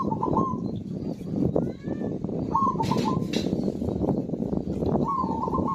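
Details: Zebra dove in lively song, used to encourage silent birds to sing: three brief trilled coo phrases spaced a couple of seconds apart, half buried in loud low background noise.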